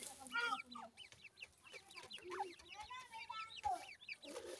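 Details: Peeping of grey francolin chicks (gora teetar): rapid thin arched chirps tumbling over one another, with a few longer clearer whistled notes and soft knocks in the background.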